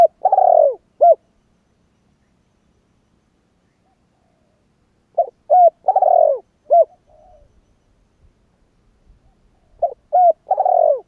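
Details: Spotted dove cooing in a repeated phrase about every five seconds: short coos lead into a long, throaty, falling croon, then a clipped final note. A soft, faint murmur fills the gaps.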